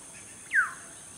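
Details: A black-hooded oriole perched in a garden tree, singing to attract a mate, gives one brief, clear whistled note sliding downward, over a steady high insect-like hiss.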